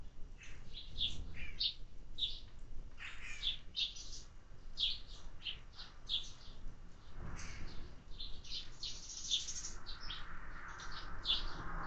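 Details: Sparrows fed during summer give a steady stream of short high chirps from several birds, with brief rustling bursts and a hissy noise toward the end.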